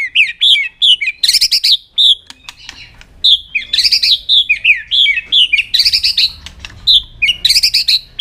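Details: Long-drawn White-rumped shama song in aggressive display to stimulate other birds: continuous run of loud slurred whistles, rising flourishes and buzzy trilled bursts with short gaps, plus faint low hum.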